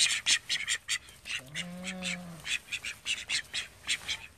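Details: A flock of thirteen call ducks kept in a house quack in quick, raspy, high bursts roughly every quarter second, broken midway by a longer drawn-out tonal note that bends slightly.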